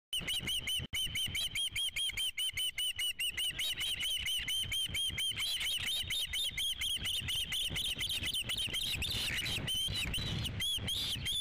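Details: Osprey at a nest on Dunrovin Ranch on 3 July 2016, during the fifth fish delivery: a long, fast run of high, clipped whistled chirps, more than two per second, continuing unbroken with a slight wavering pitch and faint background hum.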